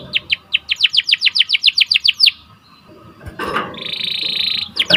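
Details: Canary song used as a lure for training and breeding birds: a row of quick falling chirps, a brief pause with low rustling noise, then a steady high buzzing trill and a final chirp.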